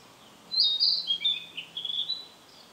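A Narcissus flycatcher gives a quick phrase of high, bright chirps, starting with sharp notes and then slurring slightly lower in a short tumbling run.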